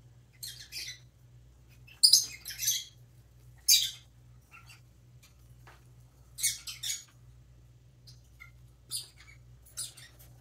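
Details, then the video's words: Baby pet parrotlet chirping while preening: short, harsh, high-pitched chirps in irregular bursts, some clustered in twos or threes, separated by quiet gaps, over a steady low electrical hum. "baby parrotlet preening and chirping"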